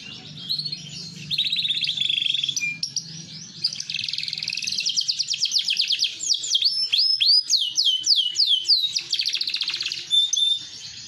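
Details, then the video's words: Large AFS canary, green-coloured, delivering a long varied song: buzzy high trills, then rapid rolling notes and a run of loud sweeping whistles, ending in a thin high trill over faint low hum. "Kenari Afs Bigsize Gacoorr dorr"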